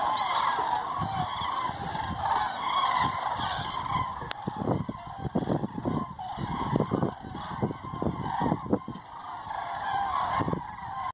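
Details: Large flock of common cranes on roost flight in Hortobágy National Park, Hungary, 2 November 2016, giving a dense, continuous chorus of rolling, trumpeting calls, many overlapping, over low rumbling noise.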